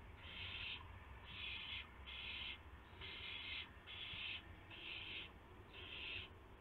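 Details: Owlets in a nest box around midnight on March 19, 2016, as adults bring prey; seven breathy rasping hisses spaced under a second apart, fairly even in length, with background hum.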